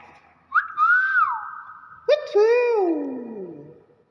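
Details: Talking hill myna copying human sounds: a loud rising and falling whistle, then a second lower harsh, nasal phrase that slides gradually downward, with faint background noise.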